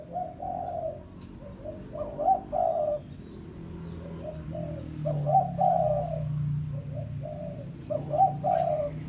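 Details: Spotted dove, a lure call for calling a rival, giving three phrases of hollow coos, each a few short notes and a longer note, over a steady low hum.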